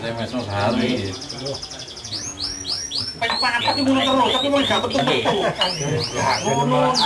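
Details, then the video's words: Canary song: series of rapid upswept whistled notes repeated in quick bursts and trills from about two seconds on, over low murmuring voices and faint background music. "Suara Merdu Burung Kenari"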